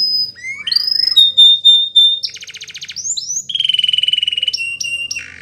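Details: Belgian canary singing for young canaries to learn: clear sustained whistles, a fast ringing trill, a long even rolling trill and sharp high chirps.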